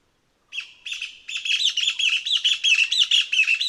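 A Taiwan Partridge gives a squeaky, high series of repeated notes that quicken and grow louder, with no other sounds.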